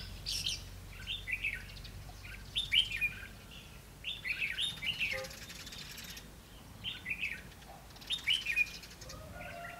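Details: Red-whiskered bulbul used as a decoy in a fighting trap, singing to provoke wild rivals, 20 May 2016: bubbly fluted phrases in clusters, several bursts spaced over ten seconds, light background noise.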